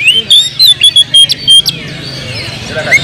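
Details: Oriental magpie-robin singing agitatedly, used as a lure to provoke other birds: sharp whistled notes and clicking bursts in quick succession, then a quieter warbling stretch, over a low steady hum.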